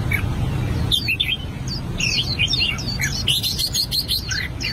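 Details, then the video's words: An albino red-whiskered bulbul rehearses its song, delivering bright, rolling whistled phrases that swoop up and down, with a brief pause then a busier burst of chirps and clicks, over low steady rumble. "Chim chào mào bạch tạng hót luyện giọng"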